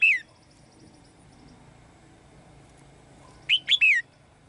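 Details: Caged female bird singing to call the male: a single bright down-slurred whistle at the start, then after a quiet gap a quick phrase of three sharp, descending chirps. Faint low background hum.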